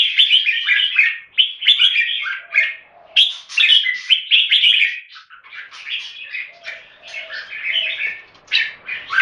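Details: Caged red-whiskered bulbuls kept in Singapore in a head-to-head singing competition between two birds: dense, rapid runs of bright warbled and chattering phrases, short gaps between bursts, with faint lower notes underneath.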